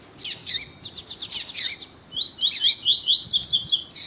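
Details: Lined seedeater, with a male and a female calling, played to excite another male: a quick run of high, sharp chirps, then a brighter, buzzy twittering phrase, all thin and high-pitched.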